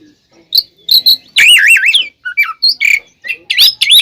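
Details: Kacer, the oriental magpie-robin, giving a provoking fighting song: scattered sharp chips, then a loud wavering warble, followed by falling whistles and rapid bright notes, delivered close and clear.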